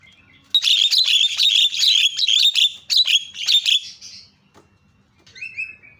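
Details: Javan myna calling to prompt other mynas, a rapid series of about a dozen harsh, buzzy repeated notes over three seconds, then a short whistled note after a pause.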